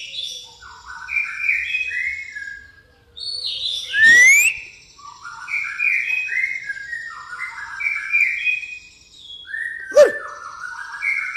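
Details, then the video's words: Pastol-style white-rumped shama song packed with fighting sparrow imitations: repeated runs of descending whistled notes, a sharp upward-sliding whistle, and a sudden loud note near the end, with a constant high whine behind. "murai pastol isian gereja tarung"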